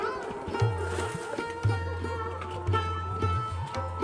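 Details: Sitar-like plucked music over a steady low drum pulse, with no animal sounds audible.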